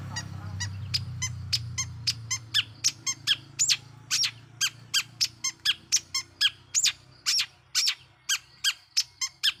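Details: Vigorous long-tailed shrike lure song, meant to rile other shrikes: a rapid, uneven stream of short, sharp ticking and squeaky notes, two or three per second, with a faint low hum at the start.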